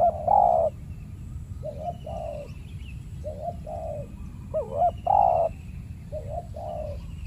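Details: Aggressive territorial male spotted dove, ruler of a banana plantation, challenged by a decoy dove during trapping; mellow coos in short and drawn-out phrases, some with wavering notes, and a faint higher bird note behind.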